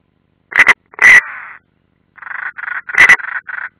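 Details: European roller calls at the nest, Ādaži military area, Latvia, late June 2016: a quick double rasp, a longer grating note trailing off, then a run of softer rapid clucking notes and another rasp.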